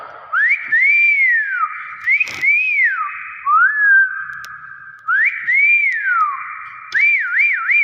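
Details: Nias hill myna giving loud, clear whistles in several bursts. Arched notes rise and fall, one long note slurs downward, and a quick wavering three-part whistle comes at the end. A quiet room with no other sounds.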